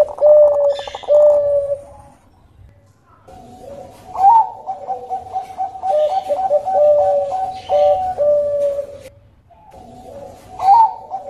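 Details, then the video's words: Zebra dove (Bangkok perkutut) giving soft, rolling cooing phrases used as a lure to prompt other doves to sing, each a run of quick, bubbly notes ending in a longer coo, repeated every few seconds. "Pancingan Perkutut"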